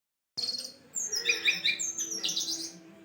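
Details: Jongkangan song recorded for use as a lure to attract birds: a dense burst of high, rapid chirps and twitters. Faint low steady tones run underneath.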